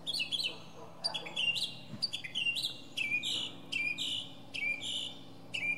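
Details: Singing atop a pine, a northern mockingbird repeats clear, slurred whistles, each note sliding sharply down then levelling off. The notes come in quick pairs and triplets across the whole stretch.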